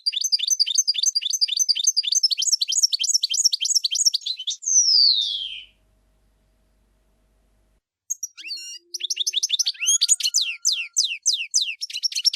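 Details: Goldfinch song, clean and close: a rapid run of high repeated twittering notes, then a long whistled note sliding down, a silent pause, and a fresh burst of varied chirps and fast repeated notes.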